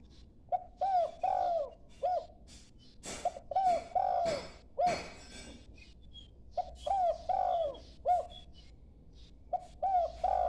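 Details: Young dove practising its call: groups of low, arching coos, each group of three to five notes, repeated every few seconds, with sharp clicks and knocks between phrases.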